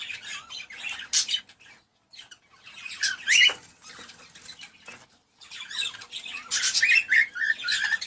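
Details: Cockatiel sounds played to encourage mating: bursts of bright, high chirps and short whistled notes, a pause near the middle, then a second busy run of chirping with wing-flutter noises.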